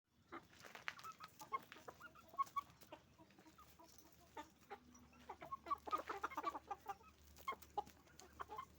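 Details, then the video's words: Roosters and hens on a chicken farm making noise: many short clucks and squawks from several birds, scattered and overlapping, with a faint low hum. "the sound of a chicken farm, roosters and hens making noise"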